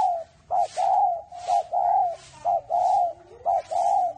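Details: Spotted dove of the "whistle voice" (thổ mổ còi) singing style, kept at a bird farm in Ba Vì, Hanoi, Vietnam. It gives clear, smooth coos, alternating a short note with a drawn-out one, roughly once a second.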